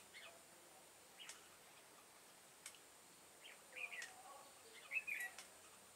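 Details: Red-whiskered bulbul, 'devil face' type, singing during trapping with a decoy bird, 22 September 2018: two short, jerky whistled phrases near the end, after a few faint notes. Occasional sharp ticks and clicks.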